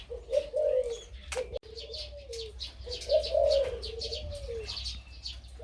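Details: A nearly one-year-old Thai hybrid dove with a big voice, said to sing much in daytime, gives two deep, rolling coo phrases of about 1.5 seconds each. Sharp chirps from other birds sound above a low background hum.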